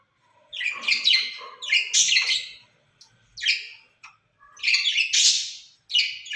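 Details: Two caged rose-ringed parakeets talking to each other, said to speak Urdu or Hindi: five harsh, raspy bursts, each about half a second long, separated by short silences.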